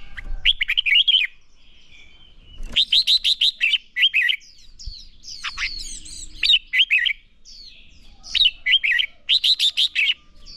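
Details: Red-whiskered bulbul in a training recording to provoke singing: loud bursts of four to six quick warbled, bubbling notes, repeated several times with short pauses, mixed with sharper chirps and faint background twittering.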